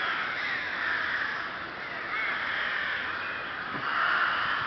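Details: Rook colony in Chrudim, Pardubice Region, Czech Republic, 30 May 2011: a continuous jumble of grating caws from many birds, growing somewhat louder toward the end.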